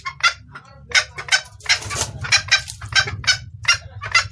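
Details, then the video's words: Red junglefowl hen calling to the male, clear-voiced and used for luring males: dense, rough clucking notes, some run together into longer harsh bursts, over a low rumbling background. "Suara ayam hutan betina gacor pangil pejantan"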